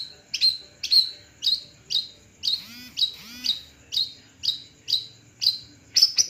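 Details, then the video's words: Long-tailed shrike perched, the Madura type, giving sharp high chirps repeated about twice a second, with two lower buzzy rasping phrases in the middle and a faint low hum behind. "Cendet satu tangkringan"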